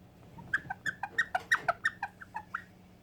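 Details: White Indian ringneck parakeet kept as a pet indoors, uttering a quick string of short, mid-pitched chattering notes, roughly a dozen clipped syllables in under three seconds, with a faint steady hum behind.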